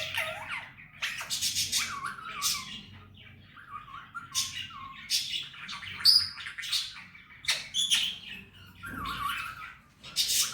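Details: Pet male Indian ringneck parrot talking: irregular bursts of raspy speech-like syllables, short descending chirps and a couple of pure whistled notes, with quiet gaps between phrases.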